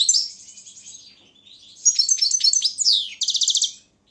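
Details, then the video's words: Competition song of a caged Balkan goldfinch, Carduelis carduelis balcanica, from a Serbian internet championship: a quick trill, a quieter stretch, then a dense twittering phrase ending in a rapid evenly repeated rattle. "Pesma štiglića 004/22 World Championship in Goldfinch Song"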